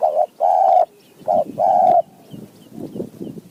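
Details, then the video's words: Wild spotted dove answering a decoy in high mountain forest. Two mellow coo phrases, each a brief doubled note then a longer drawn note, followed by softer low murmurs and faint distant chirps. "นกป่าคารม โยน 4 3 2 1 กุก เรียก 1 2 กุก"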